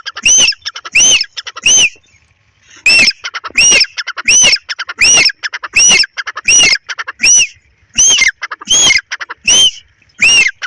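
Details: In a field in breeding season, a pair of grey francolins calls with loud, harsh, regularly repeated notes roughly every 0.7 seconds, briefly pausing after the first three before resuming a steady series.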